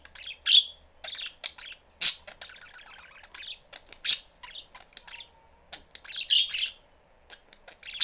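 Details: Pet budgerigar family in a cage with the door open, the young bird seeking attention while the mother keeps busy: scattered sharp chirps and short scratchy chatter at irregular intervals, with quiet pauses between.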